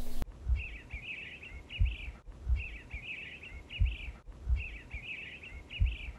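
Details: Eastern bluebird (Sialia sialis), song.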